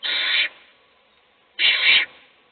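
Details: Owl in a nest box as a chick is fed and its siblings sleep; two long, grating hisses about a second apart, the second rougher and swelling in the middle.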